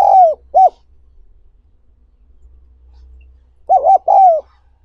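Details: Spotted dove recorded as a training call for newly caught wild doves: the end of one cooing phrase with a falling hoot and short coo, a pause over a low steady hum, then double hoots starting again.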